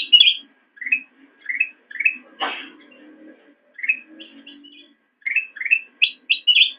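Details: Black-crested bulbul song recorded as a master for teaching caged songbirds: bright, rising chirped phrases with short pauses, a harsh burst near the middle, then quicker high, twittering notes at the end.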